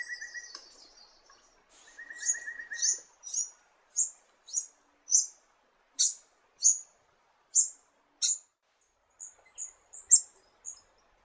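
Red-eared firetail giving a series of very high, thin, short notes about every half second, with a softer low trill near the start.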